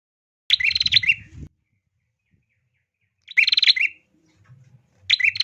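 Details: A female bar-winged prinia gives rasping, rapidly pulsed rattles meant to prompt males to sing: three bursts separated by long silent gaps, with a brief low thump before the first.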